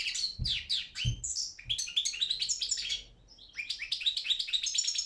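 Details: Competition song of a Balkan goldfinch, Carduelis carduelis balcanica, entered in a Serbian world championship: quick tinkling, liquid twitters and rolling phrases, a brief pause near three seconds, faint low thumps early on.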